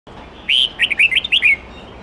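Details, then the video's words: A red-whiskered bulbul sings a wild-type song, used to train young birds, giving a quick, bright phrase of about six liquid whistled notes, rising and falling, over a faint steady background hiss. "Chào mao hót nhiều giọng chuẩn rừng âm 8-9-10 cực hay"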